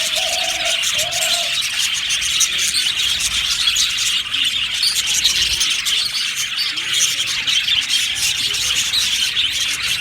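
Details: Budgerigar flock in an aviary chattering nonstop, high chirps and warbles layered together, with two short lower hooting notes early on.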